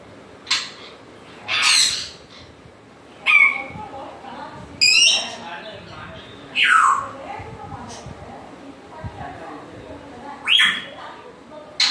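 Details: Grey parrot making sporadic short squawks and falling slurred calls, spaced irregularly, with low background room noise.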